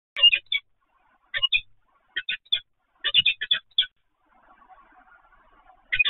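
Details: Peregrine falcons at Evoluon, recorded 7 February 2020 at 15:55: harsh, grating double and triple calls in short bursts about every second, with a soft low murmur in the quiet gap near the end.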